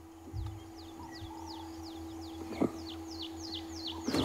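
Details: Red-crested Korhaan calling on a sunrise safari drive in Sabi Sand, 22 January 2016: a steady series of high, down-slurred whistled notes, about three per second, over a low vehicle engine hum and a couple of knocks.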